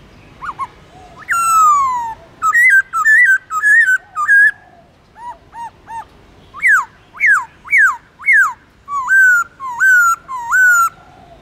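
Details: Caged black-throated laughingthrush delivers forest-voice song with long slurs, a varied stream of whistles: a long falling note, bouncy rising-falling phrases, soft hooked notes, sharp downward whistles and level wavering notes, about a hundred a minute.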